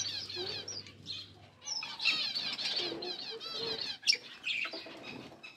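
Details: Mating lovebirds chatter almost without pause, a dense run of rapid buzzy, warbling squeaks and trills, overlapping scrabbling and fluttering wing noise, with a louder sharp squeak near the end.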